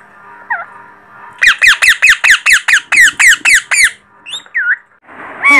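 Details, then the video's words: Baby parrot indoors giving a rapid series of about twelve loud, harsh, rising squawks, evenly spaced, followed by a few softer, wavering calls and a final loud screech. "पैरट बेबी साउंड इतनी मीठी आवाज तोता बेबी || Parrot baby Sounds"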